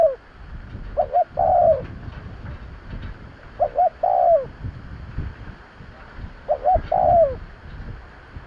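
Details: Spotted dove calling to lure birds: three phrases, each a quick double coo leading into a longer descending note, spaced roughly two and a half seconds apart, with low background noise.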